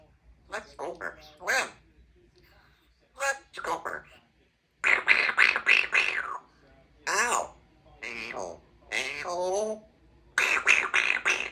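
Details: Two-year-old female Congo African grey parrot, a talkative pet in a country home, chatters in human-like phrases: clipped, syllabic bursts with whistly, rising and falling tones, delivered in groups separated by short pauses.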